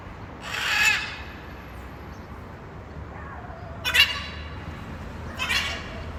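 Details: Wild blue-and-yellow macaw uttering three harsh, grating screams spaced a few seconds apart, the first longest, over a faint steady background hiss.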